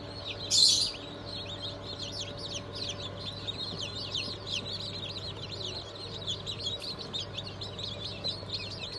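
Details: Chicks newly hatched on 20 June 2023, Cream Legbar, Sussex, Sultan and Phoenix breeds, peeping continuously in a chorus of high chirps; one loud close peep early on, steady hum underneath.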